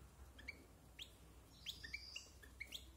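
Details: European goldfinch over a year old, kept for silvestrismo, practising its varied song: short high chirps and twittering notes with brief upward flicks, spaced irregularly over low background hum.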